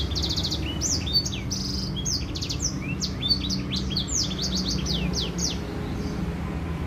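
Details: White-rumped seedeater song used as a lure to get other birds singing: a fast, continuous run of high twittering notes, quick upslurred and downslurred whistles and rattling trills, with a steady low hum underneath.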